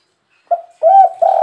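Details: Spotted dove, "kuk 3" coo used to lure wild birds: a short soft hoot followed by a longer, fuller cooing note, low and hollow.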